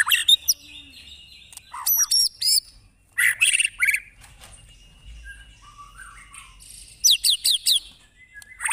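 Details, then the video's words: White-rumped shama song, fierce 'tembakan' bursts from a real bird: short separated volleys of high whistles, sharp chips and rapid trills, with near-silent pauses between bursts. "MASTERAN MURAI BATU TERFAVORIT KOMPLIT TEMBAKAN SUPER GANAS"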